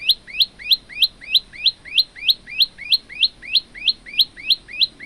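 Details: Singing male olive-backed tailorbird, recorded as a tutor for young or silent birds: a steady, even run of bright upslurred chirps, about three per second, loud and clean.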